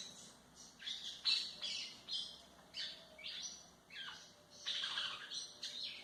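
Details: Song of a White-throated seedeater, played to train young birds, made of bright, high chirps and short buzzy slurs repeated roughly every half second in a lively run, with a quiet background hiss.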